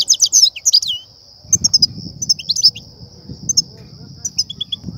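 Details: European goldfinch song of the batbata and satsata styles, used by trappers to excite and lure goldfinches into nets: quick tinkling twitters and short trills, a pause, then scattered bright chirps over a steady high whine and soft low rumble.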